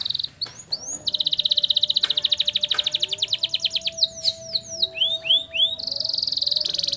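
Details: Training song for young canaries, a canary's long roll: an extended rapid rattling trill lasting several seconds, broken by sharp sweeping notes and a few slurred whistles, closing with another fast roll; faint constant hum underneath.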